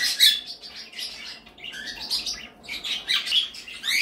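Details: Pet birds kept in a bird room, giving dense overlapping high chirps and squawky calls in bursts, with short quieter gaps near the middle and a busy chorus resuming toward the end.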